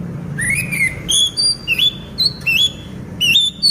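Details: A moulting orange-headed thrush kept in a cage keeps singing. It gives a rapid string of bright whistled notes, each rising or sliding upward, with quick high overtones, about six phrases in under four seconds, with faint low hum behind.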